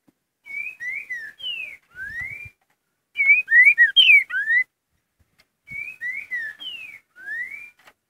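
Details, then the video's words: Green-winged saltator singing its "curricutil" song type: the same whistled phrase of falling and rising slurred notes repeated three times, about every two and a half seconds, with a few soft knocks between. "CURRICUTIL BOI"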